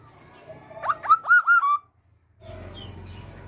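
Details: A tame female Black-naped oriole gives a quick phrase of four or five rich, fluty whistles, slurring up and down over about a second, then a pause and a low background hum.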